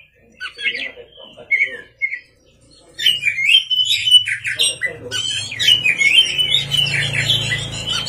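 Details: Oriental magpie-robin at night: soft scattered notes, then an intense outburst of rich, varied whistled song over a steady low hum.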